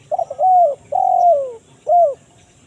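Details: Kuk 1 mersik call of a spotted dove, used to draw wild birds in the forest: quick low pips lead into a long coo, a second longer descending coo, then a short clipped closing note.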